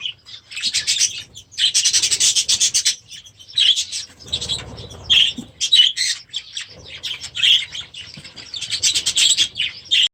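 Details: A flock of young budgerigars, last year's babies, in their first days in a new aviary, bursts into loud rapid twittering, stopping briefly and starting again in dense chattering runs.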